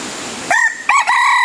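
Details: Crow of a red junglefowl used as a decoy to lure wild birds: after a quiet start, a harsh rising note, then a brief break and a long sustained strained note that runs to the end, against a hissing background.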